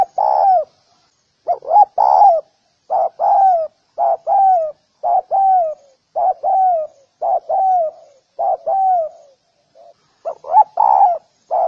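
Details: A spotted dove's call, used for training doves, gives low, soft coos in short phrases, each note dipping in pitch, repeated steadily with brief pauses.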